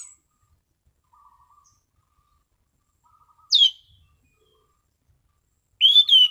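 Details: Orange-sided thrush in relaxed clear 'ngeplong' song: mostly quiet with faint low twitters, one sharp high falling whistle, then a loud whistled phrase near the end.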